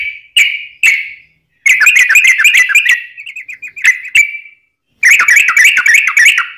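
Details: Yellow-vented bulbul 'ropelan' song meant for training and luring birds; bursts of rapid chattering, bubbling notes with a clear whistled note between them, brief silences separating the bursts.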